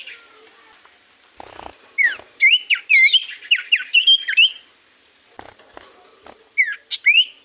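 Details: Lure recording of a common iora singing strongly: bursts of bright, curling whistles that twist up and down, broken by short pauses and faint clicks, then a final pair of sharp descending notes.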